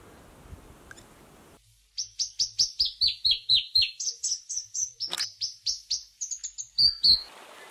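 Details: New Zealand robin (toutouwai), recorded in New Zealand in 2019, gives a fast run of clear, high whistled notes, about four per second, stepping down then back up in pitch.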